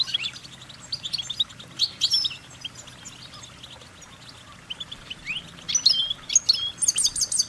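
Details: Goldfinch song of fast high twitters and chirps in uneven bursts, a quieter pause midway, then an excited run of tinkling trills and rising whistles.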